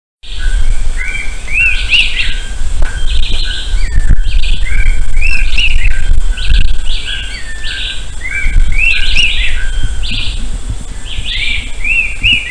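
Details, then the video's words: A rufous-tailed attila in Intervales State Park, Brazil, December 1999, repeats a short phrase of clear rising whistled notes every three to four seconds, over a steady high insect hum and low rumble. "Attila phoenicurus voice"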